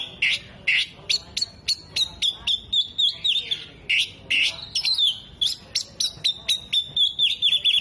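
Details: Oriental magpie-robin singing hard with mimicry of hummingbird, whiskered bird and lovebird; a fast, steady stream of sharp high whistles and chattering bursts, roughly two notes a second, loud and clear throughout.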